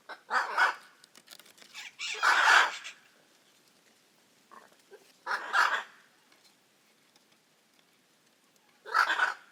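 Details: Hyacinth macaw calls: four rough, croaking squawks spaced irregularly over nearly ten seconds, one longer and louder, over faint background rustle and a few soft clicks.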